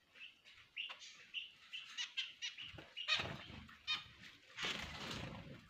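Finches give short, nasal, toy-trumpet beeps, several a second and overlapping, with bursts of rustling and wing flutter.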